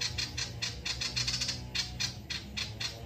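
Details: Male ashy tailorbird in full, lively song, used to prompt other birds to sing: rapid, high, buzzy chips repeated about four times a second in an uneven series, with a faint low hum underneath.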